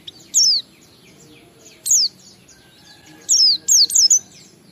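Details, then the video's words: Oriental white-eye singing in the ngalas style as a lure for other white-eyes: a few scattered, loud, high, falling whistled notes, then a tight pair of them near the end. "Suara Burung PLECI Ngalas sambung wiksar Bongkar Isian memancing semua pleci cepat gacor buka paruh"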